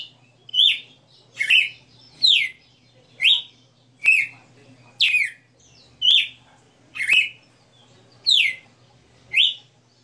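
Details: Captive red-cowled cardinal singing the 60 notas style: bright whistled notes near the upper range, each a short falling or rising slur, delivered about once per second in a steady run of eleven phrases over a low steady hum.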